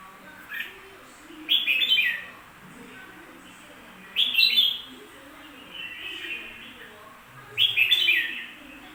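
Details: Bulbul song in three bright, chattering, whistled phrases, each about a second long and spaced roughly three seconds apart, with quieter slurred notes between them and a faint low hum.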